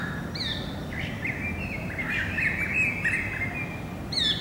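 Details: Greater racket-tailed drongo singing, recorded 7 February 2018: a varied run of short whistled and metallic notes, some sweeping up sharply, with brief high chips at the start and end, over a low rumbling background.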